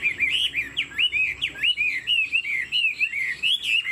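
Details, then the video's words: Caged male Chinese Hwamei, a purebred bird kept as a songbird, sings a rich run of slurred whistles, rising and falling phrases repeated rapidly with little pause, loud and clear over a quiet background. "Họa mi thuần 90%, chơi cánh, hót gật gù múa lân"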